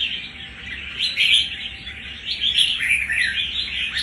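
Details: Red-whiskered bulbul newly taken from the wild a month earlier, performing with tenacious fighting spirit; jumbled bright chirps rising into louder warbled bursts around the middle and end of a short passage.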